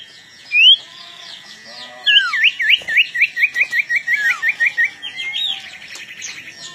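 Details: Long-tailed shrike in lively pre-fight song: one clear rising whistle, then a long rapid series of short repeated chip notes, about two per second, ending in a soft fluttering trill.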